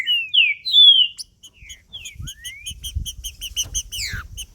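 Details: Male green-winged saltator in macheando song, used to excite another male: clear slurred whistles opening the phrase, then a rapid string of short high chips and a rising sweep, with faint low thumps underneath.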